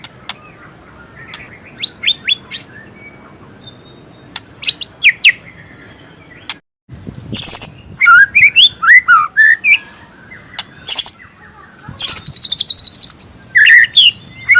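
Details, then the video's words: White-rumped shama, a murai batu singing with full mimicry fill: scattered whistles at first, then dense bursts of loud trills, rattles and varied warbled phrases. "Kicauan Terbaik murai batu superman gacor Full Isian"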